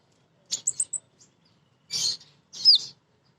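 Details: Female sunbird (kolibri ninja) lure song: a quick trio of thin high chirps, then two separate buzzy twittered notes, the last ending in a sweeping downward flick.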